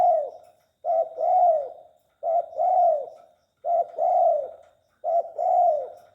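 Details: Tame spotted dove cooing. Five low, soft coo phrases arrive about every one and a half seconds, each a short clipped note followed by a longer, rounded, falling coo, with quiet gaps between them. No other sounds are heard.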